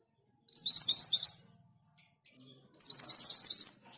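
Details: Orange minivet in lively song: two bursts of fast, very high, thin twittering notes in tight runs, each about a second long, with a short pause between them.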